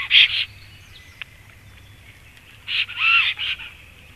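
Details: Black stork at a nest in Latvia at 18:02, as the male comes home and the female flies away. A short loud wheezy burst opens, then after a pause a longer run of hoarse, high calls with a brief falling tonal note.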